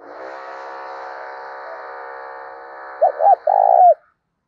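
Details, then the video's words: Spotted dove kept as a decoy bird, its coo in the 'thổ đồng' style. Sustained, flat, buzzy hum for about three seconds, then a clipped pair of mellow coos and one prolonged closing note. "Chim Cu Mồi, cu gay kich boi nhanh noi gù"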